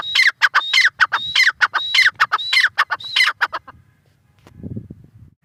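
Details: Harsh, ringing call series of a grey francolin, hurried repeated phrases each with a piercing whistle, fading out midway, followed by a faint low rustle.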